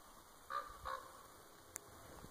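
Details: A common raven, unseen in a tree in Winlock, Washington, USA, gives two short, hoarse, honking calls about a third of a second apart, followed by a single sharp click against a quiet background.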